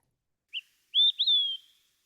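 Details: Olive-sided flycatcher (Contopus cooperi) song: a short, sharp opening note, then two loud, clear whistles, the last slurred and falling, often rendered 'quick, three beers'.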